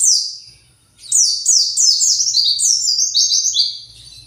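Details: Kept white-eye, agitated and calling while looking for its flock: a rapid run of high, sharply descending chirps, first one alone, then a near-continuous chain of downslurred notes for about three seconds, getting slightly lower toward the end.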